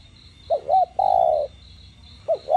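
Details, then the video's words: Spotted dove coo in the 'đồng gù + thúc' style, meant to stimulate captive doves. One full phrase of two quick hoots and a long falling coo, then the next phrase begins, over a faint pulsing background buzz. "Cu gáy GIỌNG CHUẨN ĐỒNG GÙ + THÚC kích mồi tập bổi căng lửa. tiếng cu đất gáy"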